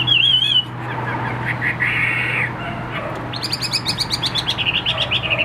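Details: A Chinese hwamei, a bird offered for sale, sings loud, varied whistled phrases, opening with a clear rising-falling note, then a rapid run of sharp repeated notes about four per second. A low steady hum persists throughout.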